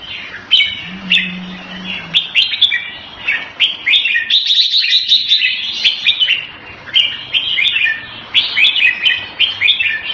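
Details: Captive red-whiskered bulbul kept as a hobby songbird, singing loud, lively phrases of bright warbled and chirping notes in quick bursts with short pauses, a low hum faintly underneath.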